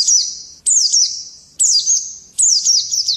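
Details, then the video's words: White-eye singing in the morning, giving four bright, very high phrases less than a second apart, each opening sharply then tumbling down in slurred whistles with a lingering ring. "Nghe chim khuyên hót hay mỗi sáng"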